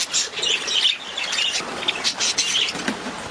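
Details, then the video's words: Continuous budgie twittering of rapid chirps and scratchy warbles. Brief louder squeaks rise above the chatter through the passage. "Budgies sound"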